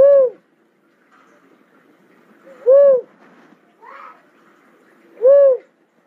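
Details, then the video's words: Cuckoo-dove calling with a mellow, rounded coo note roughly every two and a half seconds, three coos in all, with a faint higher chirp from another source between the last two. "cuckoo dove call sound"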